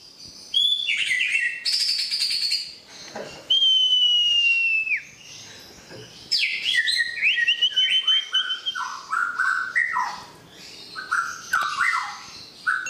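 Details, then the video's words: White-rumped shama singing in reply to a whistle: a varied run of bright whistled phrases, some long and slightly falling, others quick slurred notes stepping up and down, broken by short pauses. "Suara siul bikin murai langsung nyaut"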